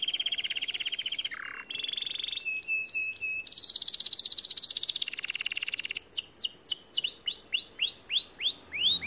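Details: Song of a white canary, opening with fast rolling buzzy trills, a steady high tour and a bright ringing passage, then a string of rising whistled upslurs toward the end.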